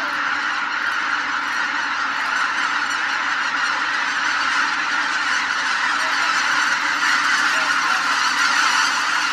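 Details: Part of a winter flock said to exceed 100,000 greater white-fronted geese takes off at Izunuma wetland, Miyagi, Japan, in early morning or evening, a dense continuous roar of overlapping high, yelping honks.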